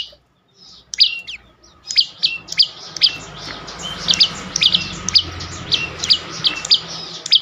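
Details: Prenjak lumut (prinia) singing, in a recording used to lure silent birds into song: a rapid series of sharp, high chirped notes that drop in pitch, repeated about twice a second, over a low background hum.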